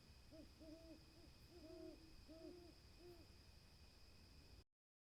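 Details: Owl hooting: low, hollow two-part hoots repeated about four times in quick succession, over a steady high-pitched electrical whine and low background rumble, cutting off abruptly near the end.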